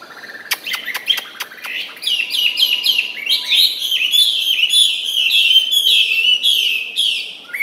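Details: A captive Chinese hwamei, still singing while it eats, pours out a loud, rich song of rapid whistled and slurred phrases, high and varied, after a few sharp clicks at the start.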